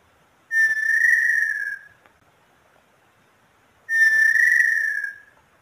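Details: Little tinamou song: two long, clear whistles, each about a second and a half, swelling slightly then fading, a few seconds apart in a quiet setting.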